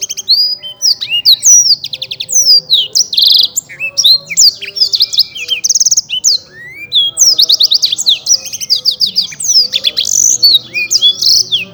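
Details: Prize-winning Black-throated canary kept in Bekasi, Indonesia, in full energetic song: a long dense stream of high twittering, buzzy trills and quick rising and falling whistles with barely a pause.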